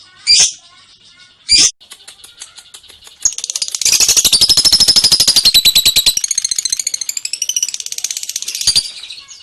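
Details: Lovebird singing an extended ngekek trill: two sharp chirps, then a long rapid rattling trill of fast pulsed buzzy notes lasting several seconds.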